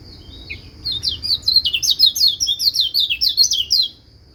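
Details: White-eye song, meant to get other white-eyes singing along: a rapid, high, sweet twittering run of slurred whistled notes lasting about three seconds, over a faint steady high whine.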